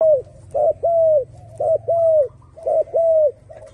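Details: Turtle dove cooing in a steady rhythm: a short clipped note, then a longer falling coo, repeated about once a second against a low background hum.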